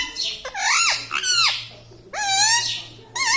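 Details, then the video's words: Talking pet Indian ringneck parakeet kept indoors, giving loud, drawn-out, wavering harmonic calls one after another, strongly voice-like, with a steady low hum underneath. "Hasne Wala Tota || laughing mitthu || Talking Parrot"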